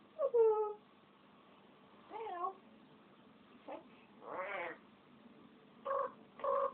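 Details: Indoor pet African grey parrot giving a series of mewing, cat-like calls: a loud falling harmonic note, a wavering two-part call, a broad noisy burst and two short nasal notes, spaced one to two seconds apart in a quiet room.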